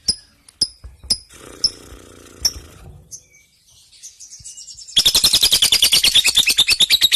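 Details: Lovebird song used to tutor magpie-robins: scattered sharp, high chips and a soft buzzy passage, then a dense, loud burst of rapid shrill chattering over the final two seconds.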